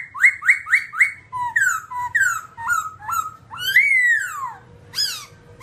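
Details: Babbler of the Timaliidae family, black in colour, singing a fast row of rising whistled notes, then paired downslurs, a long sweeping whistle falling in pitch and a last sharp slur.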